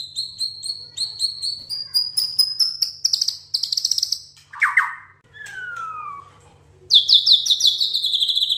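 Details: White-rumped shama song, varied and loud: rapid repeated high whistled notes rising in series, a dropping buzzy phrase, a long clear downslurred whistle, then a fast burst of sharp repeated high notes.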